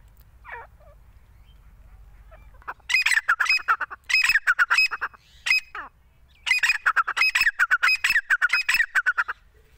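A grey francolin gives loud, harsh, ringing phrases in rapid repeated bursts after a quiet start, with a brief squeak early on.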